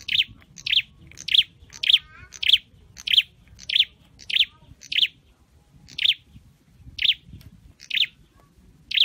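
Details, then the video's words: Caged scarlet-headed flowerpecker from Indonesia trained to sing: a brisk series of sharp, piercing high chirps, quick at first and then spacing out to about one per second, against quiet low noise. "Deep red-headed birds(Dicaeum Trochileum): Birds thoroughbred training for singing chirped"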